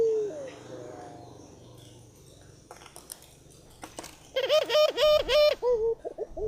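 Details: Barbary dove, said to be very vocal: after a faint start with a soft coo and scattered clicks, a loud series of rhythmic, pulsing coo notes with a bright, ringing tone repeats rapidly to the end.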